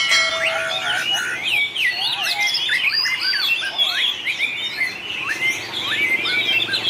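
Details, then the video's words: White-rumped shama singing in a contest: rich, varied whistled phrases with rising and falling slurs and quick warbles, overlapping other songbirds against a steady background hiss. "chòe lửa hót đấu"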